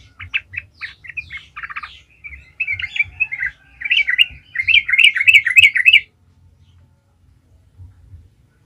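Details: Lively yellow-vented bulbul song meant to provoke other bulbuls into singing: a run of short clipped notes, then rolling warbled phrases rising in strength, stopping abruptly, with a faint note near the end.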